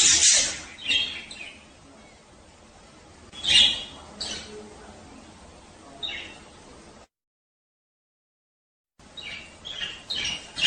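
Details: Budgerigar males warbling during the mating season to encourage breeding: clusters of high, scratchy chirps and chatter, broken by a sudden two-second silence before the chirping resumes.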